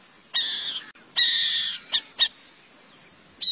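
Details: Burrowing owl uttering loud, broadband rasping screeches: two drawn-out hissing bursts followed by two short sharp rasps and another starting at the close, with a faint thin whistle between them.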